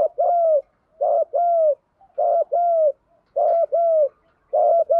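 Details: Spotted dove used as a lure bird, singing its challenge song to draw rival males: steady paired coos, a short note then a longer falling one, repeated about once a second, clean and without background sound.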